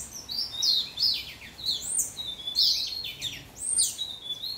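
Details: Young orange house finch singing a fast, warbling run of high slurred notes, rising and falling, in two bursts about two seconds apart, with a soft background hiss.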